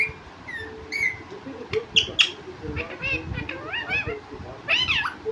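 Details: Talking pet parrot, said to speak words like "mummy papa": a series of harmonic, wavering squawks and voice-like syllables, some rising then falling, spread over a few seconds with quiet background hiss.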